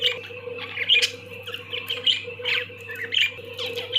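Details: Budgerigars (Melopsittacus undulatus) chatter in quick, high, scratchy chirps and warbles over a steady low hum.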